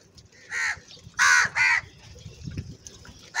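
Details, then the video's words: Loud, angry crow: three rasping caws come in close succession, then a pause, then a fourth caw right at the end. A faint low background rumble runs underneath. "Very loud voice of Crow sound - Angry kauwa ki awaz"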